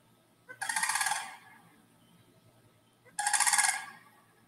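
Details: A pair of sandhill cranes, tall gray birds with red foreheads, dancing and displaying in a small wetland in spring, give two loud, rolling, rattled croaks about two and a half seconds apart over quiet hiss.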